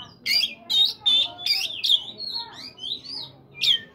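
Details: Morning song of an Oriental magpie-robin, played to coax caged birds into singing: loud harsh bursts at first, then clear sliding whistles and a final sharp note.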